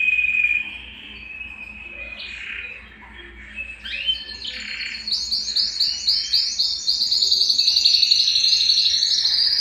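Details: Belgian canary singing to warm up males and bring females into breeding condition; sustained whistled notes and varied phrases give way to a fast, loud, repeated high trill of rapid chirps.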